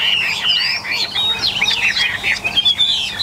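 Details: Tame Chinese hwamei kept in a cage among eight birds, singing in an excited state: quick slurred whistles sweeping up and down, bunched into a dense, continuous warble.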